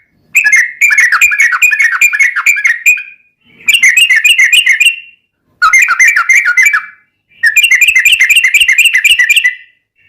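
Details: Yellow-vented bulbul singing rapid tembus-tembus ropelan song, used to train and lure caged bulbuls: four fast, bubbly, chattering bursts of slurred whistles, each about one to two seconds, separated by short pauses.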